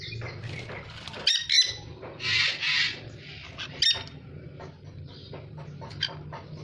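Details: A dusky-headed conure (Aratinga weddellii) gives harsh, raspy screeches, two long grating squawks in the middle, between sharp short chirps, over a steady low hum.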